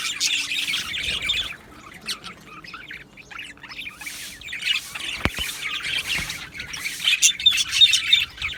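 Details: Australian budgies chattering in an aviary colony on 12 July 2025, with squawky chirps that fade to a softer murmur in the middle, then build back to bright warbling, along with an occasional sharp knock.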